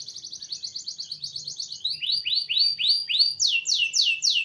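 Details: Canary singing a rich master-style song: a fast high buzzy trill gives way to a run of rising-then-falling swept notes about four per second, closing with louder downward-slurred notes over a faint low hum.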